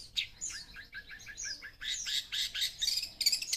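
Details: Long-tailed shrike, a young bird described as full of fighting spirit with a rich repertoire, delivering quick high chirps and downslurred whistles, then harsher buzzy bursts near the end.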